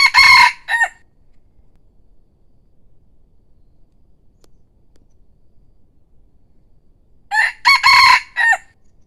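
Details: Decoy rooster, praised as handsome with pleasant crowing: two short, harmonic, rough crowing bursts, one at the start and another about seven seconds later, separated by near silence.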